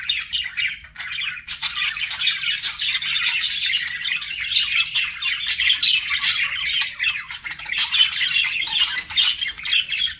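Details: Flirting budgies keep up a long stream of chirpy, scratchy warbling with occasional sharper whistles standing out.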